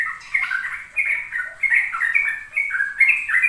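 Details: Sooty-headed bulbul (trucuk), a young bird-lure recording for unsinging birds to learn rapid 'ropel' song: fast chattering run of short bubbly notes around mid-high pitch, in bursts of about half a second, with a faint high hiss above.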